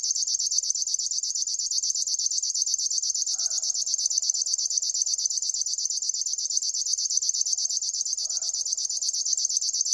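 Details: River warbler song: a relentless, even train of dry high-pitched buzzy pulses, steady and cricket-like, with occasional faint lower bird calls behind it.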